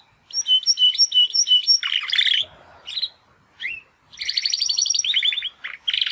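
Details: Young Timbrado canaries, two brothers, practising song for the first time since their first molt: repeated paired chirps, then dense buzzy high trills and short rising notes with brief gaps between bursts.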